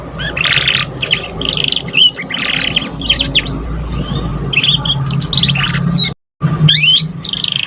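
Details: Learning canary chick, recorded as a singing lure: dense patches of scratchy chatter and quick chirps repeat almost without pause, with a brief dropout near the end and a low steady hum throughout.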